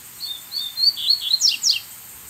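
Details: Wild brown-plumaged Double-collared Seedeater singing from a distance toward a caged decoy bird in its territory: a short whistled song of clear high notes, rising and falling, ending in two quick descending slurred sweeps, over quiet background hiss.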